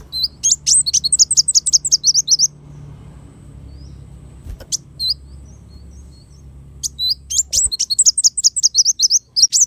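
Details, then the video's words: Black sunbird song in two fast, high twittering trills, each about two seconds long, separated by a quieter gap with a lone chip. "suara burung kolibri wulung"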